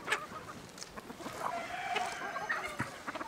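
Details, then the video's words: Chicken heard in village surroundings: soft, somewhat distant clucks and a brief drawn note amid clicks and light background noise. "Dinlendirici Tavuk Sesleri Doğal"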